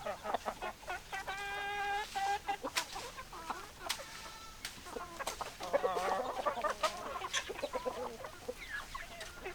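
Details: Chicken flock of hens and roosters: drawn-out tonal cackles early, then fast, rapid clucking, about three to four per second, with sharp clicks and overlapping voices.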